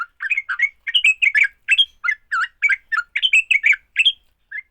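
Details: Sooty-headed bulbul giving its fighting song, used to set other bulbuls singing: bubbly, chattering phrases of short slurred notes in quick bursts, rising and falling, with brief gaps, ending in a lone note.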